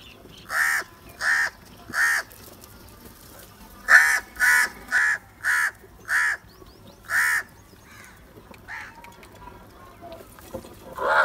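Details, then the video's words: Crows heard where the birds fight over food: a long series of rough, nasal caws, about ten in quick succession, irregularly spaced, then quieter scattered calls and faint background noise. "Crow sounds | کوے کی آواز"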